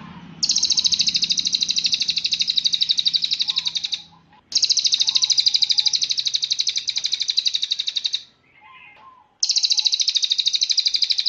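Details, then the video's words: Cililin song used as a master recording for training songbirds: three long, shrill, rapidly pulsed trills of about four seconds each, separated by short pauses with soft lower notes. "SUARA BURUNG - Masteran Terbaik Cililin"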